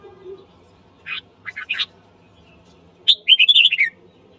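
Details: Morning song of a red-whiskered bulbul trained to provoke rivals into fighting: three short separate chirps, a pause, then a fast rolling run of bright whistled notes sliding downward at the end.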